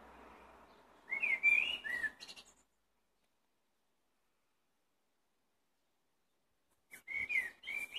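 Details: Common blackbird (Turdus merula) singing two short phrases of mellow, fluting whistles breaking into high, squeaky twitters, separated by a long silent pause.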